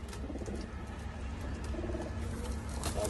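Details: Domestic pigeons kept in a loft, a pair sitting together, give soft low cooing murmurs in short pulsed bursts, with steady low background hum and faint rustling throughout.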